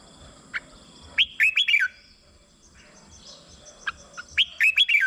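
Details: Red-whiskered bulbul song for stimulating caged birds: two cheerful whistled phrases of rapid, warbling notes, each introduced by a single short chirp, separated by a quiet gap.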